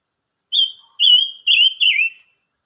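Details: Silver-eared mesia song, dated 25 May 2022: a clear whistled phrase of four connected notes, the first short and level, then longer wavering notes ending in a slight downward slur; quiet background.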